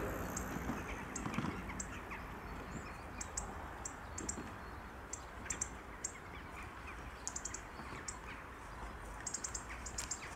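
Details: Hawfinch gives sharp, very high ticking calls, singly and in clusters, over a low rumble. It was recorded in Helmond, Netherlands, on 25 January 2013.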